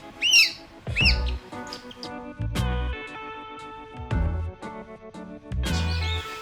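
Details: A captive-bred northern goshawk chick at a raptor breeding centre in Taiwan, too young to feed itself and hand-fed, begs for food with three thin, squeaky, rising-falling peeps a few seconds apart, over background music and low handling sounds.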